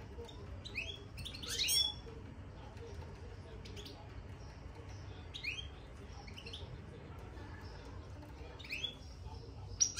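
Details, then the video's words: Caged European goldfinch twittering in the style locally called bitbita after entering its cage: sharp, high chirps and short warbled bursts come in scattered clusters, strongest near the start and end, over a faint low hum. "بتبتة الحسون من دخل القفص"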